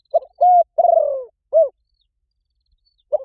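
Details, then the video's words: Cooing of a spotted dove in the luring 'gáy gọi rút bổi' manner, so other doves reply. One low soft phrase: a brief note, a flat held coo, a longer vibrating coo drifting downward, then a short rounded note, with the next phrase just beginning. "Gáy gọi rút bổi khó cỡ máy nghe tiếng chim cu gáy gáy lại liền"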